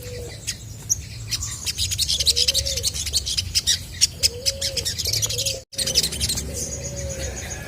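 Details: Spaced, low, steady whistled hoots from a chestnut-backed scimitar babbler singing hard to draw answers from other birds, beneath a dense wash of fast, high chirping and twittering; a brief dropout in sound near the end.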